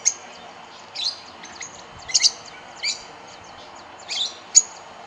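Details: Rosy-faced lovebirds feeding in Kyalami, Midrand, Johannesburg, where escapees from aviaries are suspected to live, on berries of Syringa, Yellowwood and California Pepper trees. Sharp, piercing chirps come singly or in short clusters, roughly once a second.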